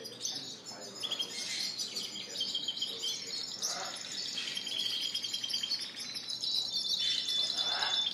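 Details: Several caged canaries, Spanish Timbrado and Gloster breeds, singing at a bird shop on April 9, 2016; overlapping fast trills and bright whistles run without pause, with shifting high rolls throughout.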